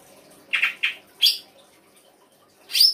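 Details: Songbird giving 'isian' song: a pair of buzzy mid-pitched chirps, a single sharp high note, and after a pause a loud rasping high call.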